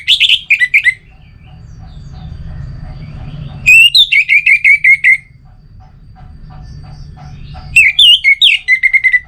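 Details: Orange-headed thrush song in three bursts of loud whistled notes, each burst a rapid run of short slurred whistles, some rising, separated by quiet gaps of about two seconds with low background rumble and faint distant chirps.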